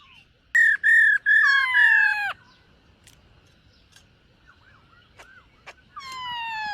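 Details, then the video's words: Silver-eared laughingthrush singing and dancing during morning voice training: three loud, clear whistled phrases with slightly falling tones, then a quiet gap with faint clicks before another long downward-sloping whistle begins. "Khướu BẠC MÁ hót MÚA luyện giọng . Khướu hót sáng luyện giọng kích bổi"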